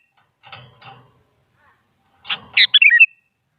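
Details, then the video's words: Sooty-headed bulbul song used as a lure to prompt a quiet bulbul to reply, described as a female calling a male: two soft rough chatter notes, then one bright whistled phrase of quick descending slurred notes. "Suara Burung Kutilang Selalu Dicari Buat Pancingan Jadikan Kutilang Diam Ikut Nyaut"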